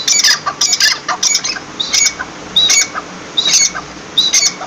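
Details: Partridge uttering harsh, rasping squawks in clusters of two or three, each cluster roughly a second apart, loud and scratchy over quiet background noise.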